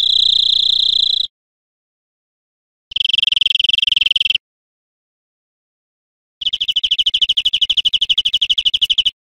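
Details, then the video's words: European greenfinch song from a teaching recording for cage birds: three separate bursts of fast, even, high trills, each lasting one to three seconds, divided by clean silent gaps. "Canto Verderon"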